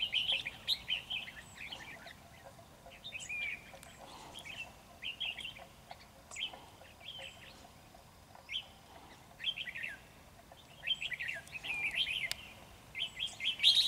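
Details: Red-whiskered bulbul of the 'Ché' type at a trap, singing fiercely to overpower the decoy: a dense run of loud, quick whistled and warbled notes, phrases following almost without pause.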